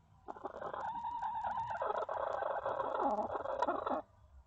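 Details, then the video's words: A hen in a coop scolding another that is trying to lay an egg; one long, continuous, harsh nasal call of about four seconds, wavering in pitch and growing raspier toward the end. "Funny Chickens sounds"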